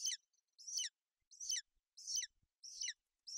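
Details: A golden eagle chick is brooded by its mother on a Bucovina nest in inclement weather, 28 May 2021. About six piercing, high chirps repeat at a fairly even pace, a little under one per second, with faint low knocks between them.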